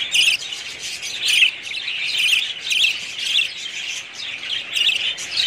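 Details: Budgerigars in a breeding colony, a flock chattering at once: dense, buzzy warbles and chirps overlapping steadily, with louder bursts roughly every second.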